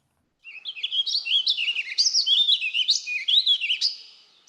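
A Warbling Vireo sings a fast, rambling warble of high, slurred notes, rising and falling without pause for about four seconds.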